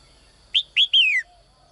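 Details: Female bird in a cage calling each morning for a strong male: a crisp phrase of two brief chirps ending in a sustained whistle that falls in pitch, in a quiet setting.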